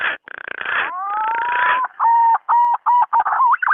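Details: Male green pigeon calling a female, as a lure sound: noisy rustling opens, then a long smoothly rising whistle followed by a string of short, level whistled notes repeated about twice a second.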